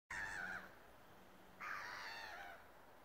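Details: Gulls on ice: two harsh, nasal calls with stacked harmonics, the first short at the start, the second longer and drawn-out about a second and a half later, over a faint low hum.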